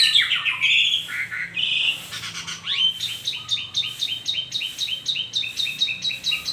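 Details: Morning song of an Asian pied starling: harsh squawky phrases and whistles opening, then a rapid run of repeated clipped chattering notes, each about a third of a second apart.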